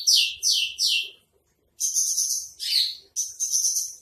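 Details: Javan bush lark of the 'trotol' spotted type, masteran song: three quick descending high notes, a pause, then bursts of buzzy, high, steady-pitched trilling. Faint low thumps are in the background.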